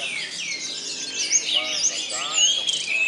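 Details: Orange-headed thrushes competing at an Indonesian bird-song practice contest: looping whistled phrases that rise and fall, sharp slurred notes and brief trills, with a faint human voice underneath.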